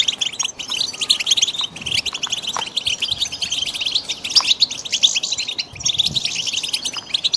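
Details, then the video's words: European goldfinch chicks in a steady chorus of thin, squeaky chirps, closely packed and overlapping throughout, over a low background hum. "صوت فراخ الحسون"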